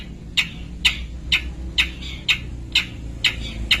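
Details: Caged long-tailed shrike, also called rufous-backed shrike, kept as a songbird: a rapid series of sharp, squeaky notes repeated about twice a second, evenly spaced, over a low rumbling background.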